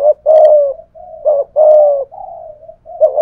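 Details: Cooing spotted dove with a 'thổ pha thúc' voice, a decoy bird challenging a wild dove. Loud, low coos alternate with quieter, thin, level notes in a close, hoarse sequence.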